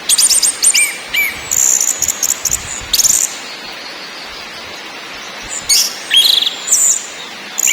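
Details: Lure recording of orange-headed thrush singing in ngakrak, ngeplong and nyiul styles: separate bursts of shrill twittering and slurred whistles, broken by pauses of several seconds with only faint background hiss.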